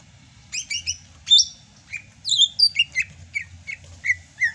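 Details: Rainy-season song of a Sumatran greater green leafbird: high chirping doublets followed by a rapid sequence of clear whistled and slurred notes, bright and continuous, over a faint low rumble.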